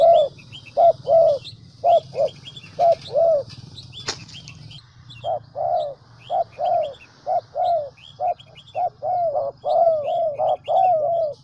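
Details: Lure recording of spotted dove calls used to draw in doves and stir them to coo: repeated short hollow coos in uneven groups over a constant low hum, with high chirps from other birds and one sharp click midway.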